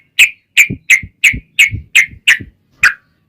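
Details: Yellow-vented bulbul, long ropel lure song to prompt bulbuls to answer: eight clear whistled notes spaced about a third of a second apart, each sliding downward, accompanied by low thumping knocks.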